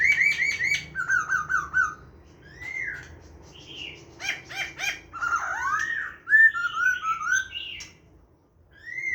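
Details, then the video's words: Laughingthrush ('hàm rồng' type) in wild-voice song, recorded 29/9/2023: repeated clear whistled notes, clipped chirps and clicks, then looping rising and falling whistles, loud and varied, ending in a brief pause. "khướu hàm rồng hót giọng rừng"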